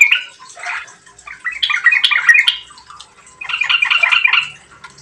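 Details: Yellow-vented bulbul giving gacor-style song as a lure for other birds: loose, bubbling phrases of jumbled warbled notes, one long central burst and a final phrase after a short break.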